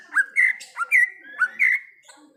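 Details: Wild greater green leafbird delivering loud whistled phrases in pairs: a short dipping note followed by a longer bright whistle, repeated three times within two seconds.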